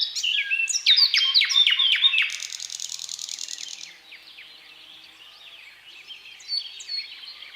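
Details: Thrush nightingale pours out a powerful phrase of sharp repeated clicking notes, then a buzzy rattle, then fades to softer, scattered whistles and a faint high note near the end.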